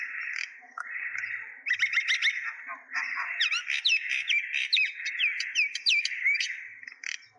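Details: Busy myna chatter from Kulaura in Moulvibazar district, Bangladesh: a steady hum of harsh chirps overlaid with quick whistled upslurs and downslurs from several birds calling at once.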